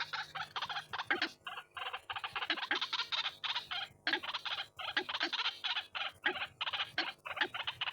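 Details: Harsh, repeated croaking calls of white-breasted waterhen, used as a lure sound, delivered in quick clustered bursts separated by brief breaks.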